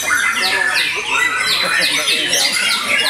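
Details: Post-moult white-rumped shama delivering a busy, continuous song of fast descending whistled slurs and sharp high chips packed closely together, with no pauses.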